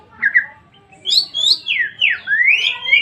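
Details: White-rumped shama singing a short phrase of clear whistled notes: a low opening double note, then high sweeping whistles that slide down and up in a flowing series.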